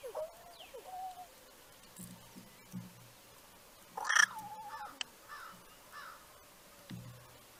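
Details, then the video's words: Crow making a strange, unfamiliar sound: soft, wavering whistled notes that rise and bend, then a sudden loud, harsh burst in the middle, followed by a few quieter nasal notes and low muffled thumps. "this Crow might be making this strange sound"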